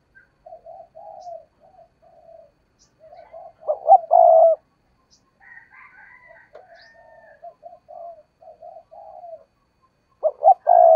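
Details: Spotted dove used as a decoy. Soft, murmured low cooing runs through the recording and is broken by two loud, throaty coo phrases of quick notes followed by a long coo. Brief higher chirping notes are heard in between.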